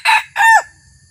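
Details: Decoy red junglefowl, newly trained and on its first trip out for luring wild junglefowl, gives a short two-part crow: a brief harsh note, then a longer rasping phrase that drops in pitch at the end.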